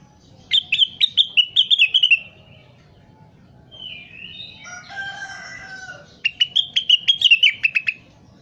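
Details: Crested partridge calling busily, recorded as training material for other birds: two bursts of rapid, clipped high chirps, each about a dozen notes over a second and a half, separated by a softer warbled phrase from another bird.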